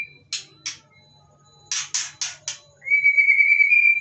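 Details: Caged white-rumped shama inside a covered cage, singing in reply to other birds' voices nearby: several harsh rasping bursts, then a sustained, wavering clear whistle to the end.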